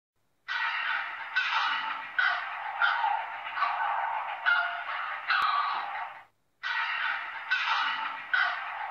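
A heron gives harsh, raspy squawks, one after another about every second, with a brief silent break before the calls resume.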